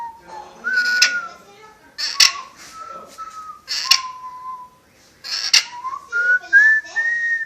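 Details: Whistling pet parrot mixes level whistled notes with harsh broadband squawk-like bursts, ending on a rising run of whistles.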